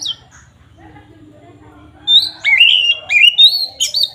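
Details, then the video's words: Oriental magpie-robin bursting into provocative fighting song after two quiet seconds of faint background hum: rapid whistled notes climbing and dipping, with sharp chipping accents, bright and loud. "pancingan SUARA BURUNG KACER GACOR NGEPLONG ini paling ampuh untuk menaikan emosi kacer"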